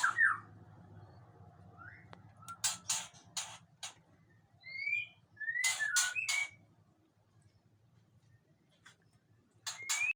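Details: Long-tailed male Aceh white-rumped shama, agitated, gives sparse short whistles and slurred notes separated by pauses, interspersed with clusters of loud harsh rasping bursts over a faint hum.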